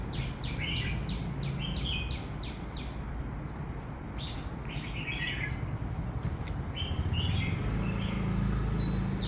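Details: Birds singing in the morning in summer: a quick series of sharp, high chirps repeated about four times a second early on, then scattered twittering notes, over a steady low rumble like passing traffic.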